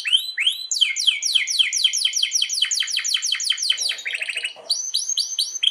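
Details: Canary singing a long-rolling master song meant for training other canaries, a fast continuous run of repeated downward-sweeping notes, then a brief buzzy trill and renewed sweeping phrases.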